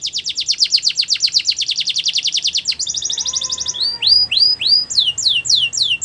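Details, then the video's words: Belgian canary song for training young canaries: fast, even trill of high notes, then a brief buzzy run, a low whistled slur and a series of loud upward-swooping whistles repeated about once a second. "The Best Canary Training Song | Belgian Canary Singing"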